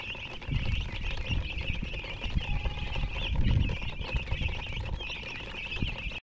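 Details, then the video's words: Chicks with a hen give steady high-pitched chirps in an unbroken chorus, over louder low thumps and rustling handling noise. "silly chicken chirping sounds with murgi hen color chicken"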